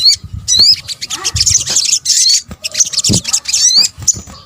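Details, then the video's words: Combined sunbird (sogok ontong) lure calls from Indonesia: busy, high-pitched chatter with repeated rising whistled slurs, nearly continuous, with occasional soft low knocks. "PANCINGAN SOGON BUNYI AMPUH | kombinasi suara sogok ontong"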